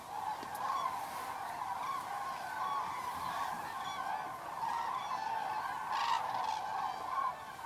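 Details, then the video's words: Evening roost flight of Common cranes at Federow, Germany, 3 October 2018, birds unusually close: continuous massed bugling calls rising and falling, overlapping voices throughout. "Einflug der Kraniche am 03.10.2018"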